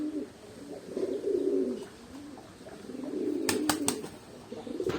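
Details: Domestic pigeons (Columba livia domestica) coo in low, rolling, throaty phrases that swell and fade, with a few sharp clicks; the speaker says only males coo, not females.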